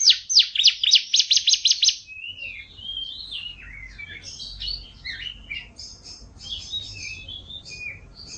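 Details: F1 canary singing, used to train canaries; a burst of sharp descending notes for two seconds, then varied warbled twittering phrases at lower volume.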